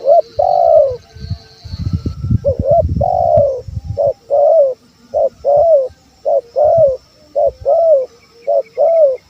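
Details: Male spotted dove calling to lure wild doves: mellow coos repeated steadily, short and long notes alternating in a continuous rhythmic series, with low rumbling noise at the start.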